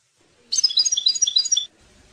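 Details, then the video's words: European goldfinch singing a tutoring song for young birds: about a second of rapid, sparkling high notes, tinkling and slightly buzzy, tumbling one after another. "chant maknin pour écolage jeune chardonneret"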